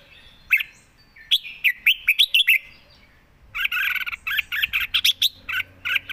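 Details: Red-whiskered bulbul, a caged songbird, singing in two bursts: first a run of bright, quick warbled notes, then after a short pause a denser, busier chattering phrase of rapid, slurred chirps. The background is quiet.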